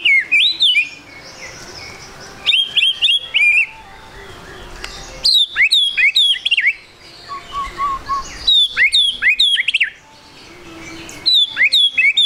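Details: White-rumped shama song used as a lure to make other birds sing quickly: bursts of loud, clear whistled notes sweeping down and looping, mixed with sharp high chips, phrases separated by short pauses, faint background hiss.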